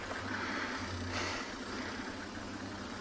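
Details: A vehicle engine idles with a continuous low drone and broad hiss, with no animal voices heard.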